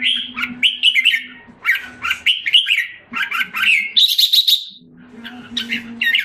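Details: Caged red-whiskered bulbul in Singapore, recovering after moulting, sings repeated fluty warbled phrases in quick bursts, then a harsh buzzy trill lasting nearly a second, followed by more chattering notes; low hum throughout.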